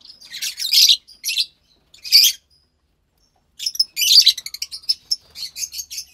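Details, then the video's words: Pair of young captive lovebirds, pastel white and pastel light green chicks, March 3rd, 2021: scratchy high chirps in short bursts, a pause of over a second, then a rapid run of sharp repeated chips. "Two Lovebird Chicks"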